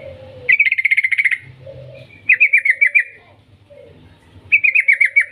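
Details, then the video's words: Yellow-vented bulbul song played to provoke bulbuls into singing, in the long 'ngetir' style: three bursts of fast, evenly pulsed chirping notes, the first longest, with soft lower hums between them. "Suara panggilan trucukan gacor ngetir panjang ampuh untuk Pancingan Trucukan agar bunyi GACOR"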